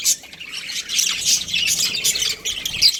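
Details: A budgerigar breeding pair in constant high chatter: buzzy, squeaky chirps running together, with a few short whistled notes standing out.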